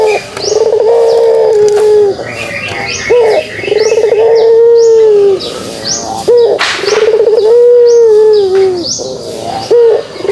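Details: Kugeruk cooing of a pelung dove: a low, level, humming coo of about one and a half seconds, repeated four times with short gaps. High, twittering calls of other birds run over the coos throughout.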